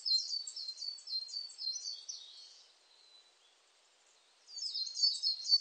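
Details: Coal tit song as a quick series of high, squeaky double notes over about two seconds, then near silence, then the bird starts a new phrase.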